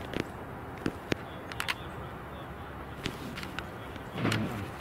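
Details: Low traffic rumble with a few sharp clicks and knocks, like a car door or handling noise, and no animal voice.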